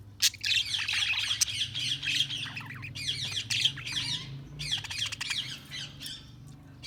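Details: Budgerigars chattering continuously, a busy stream of high warbled chirps and squawky notes with sharp clicks, over a faint low hum.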